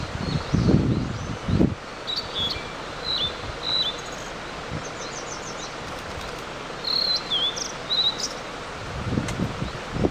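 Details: Blue-and-white flycatcher singing at length in early morning above a mountain stream near a highland: thin, high whistled phrases and short trills, spaced a few seconds apart, over steady rushing water and a few low thumps.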